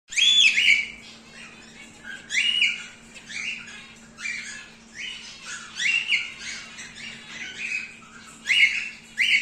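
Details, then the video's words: Breeding pair of grey wild-type cockatiels: repeated harsh, squawky whistled calls in bursts roughly every one to two seconds, with a steady low hum underneath. "Wild-type Grey Pair"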